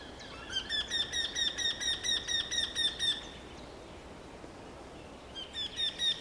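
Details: Eurasian wryneck repeating its call: about twelve nasal, whining 'quee' notes in quick even succession, a pause of roughly two seconds, then a fresh series starting; quiet rural surroundings.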